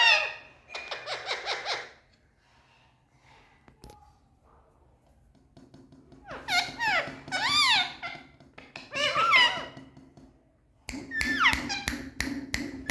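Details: Pet Indian ringneck parakeets indoors in a room, described as happy and speaking: bursts of harsh, speech-like harmonic phrases with wavering pitch, a quiet stretch mid-way, then rapid repeated sharp notes toward the end.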